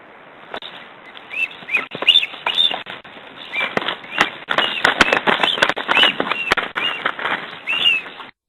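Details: A Black stork pair fighting an intruder at the nest, 14 April 2008: rough hissing over short, high whistled notes, broken by sharp thumps and flaps of beating wings.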